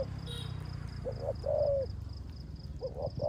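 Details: Decoy spotted dove, rước gù coo in rainy conditions: a single clear, low, sustained humming coo preceded by a faint short note, partly masked by low rumbling noise and steady high chirping.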